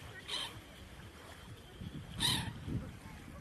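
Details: Gulls on the Black Sea shore at Odessa, Ukraine, give two brief, harsh squawks about two seconds apart over a low rumble of sea waves.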